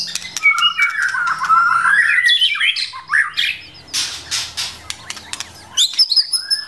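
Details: Forest white-rumped shama, female urging the male to practise his song: a long sweeping whistled phrase climbing in pitch, followed by harsh chattering bursts and clicks, ending on a high thin note.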